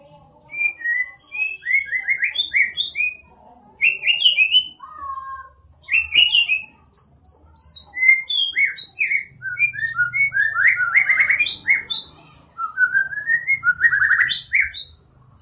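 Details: White-rumped shama (murai batu) song, offered as a lure to get a quiet shama singing: a long run of varied, loud whistled phrases, rising and falling sweeps, quick trills and chattering bursts with short pauses, over faint low background hum.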